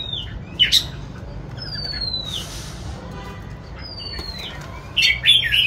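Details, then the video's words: White-rumped shama singing while performing its dance display; two clear, high whistled notes sliding downward, separated by a couple of seconds, with short sharp bursts between them over a steady low rumbling background. "choè than hót múa"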